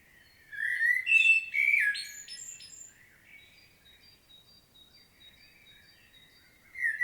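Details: Field recording from Świnoujście, Poland, 25 September 2022, of a common blackbird's detailed solo: one rich, mellow whistled phrase ending in thin squeaky notes, then a pause with soft far-off chirps and the start of another phrase.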